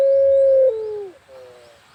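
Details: Barbary dove (puter) of the pelung style, recorded in the countryside: the end of a long, even coo dropping into a falling slurred tail, followed by a quieter wavering note.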